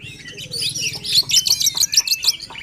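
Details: Short, dense burst of Oriental magpie-robin song used to rouse a quiet bird: a rapid jumble of high twittering and chirping notes, with a steady low hum underneath.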